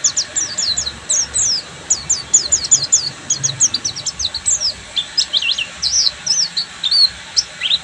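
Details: Buxtoni Oriental white-eye in ngeriwik style: a long, rapid stream of very high, thin chirps in quick bursts, repeated with barely a break for eight seconds.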